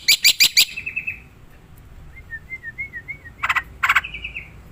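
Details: Wild black-winged myna: a burst of harsh rasping notes with a trailing buzzy tone, a soft wavering whistle, then more harsh notes and a flat buzzy note.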